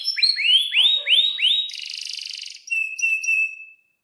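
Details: Kept canary in breeding condition, chirping with long rolls: several loud rising-then-falling whistled swoops, a harsh buzzy trill, then thin clipped whistles and a long flat whistled tone fading out.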